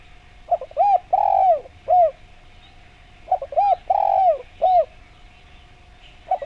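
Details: Spotted dove song used as a lure so other doves answer: two phrases, each of short rounded coos then a long drawn, falling coo and a final short coo, about three seconds apart, over a faint steady hum.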